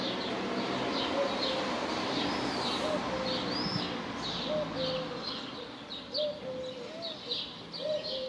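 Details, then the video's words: Dove song as a series of short, low coos, each a brief rising note followed by a flatter one, repeated every second or so, mixed with constant high chirping and twittering from other birds. "The Dove Song"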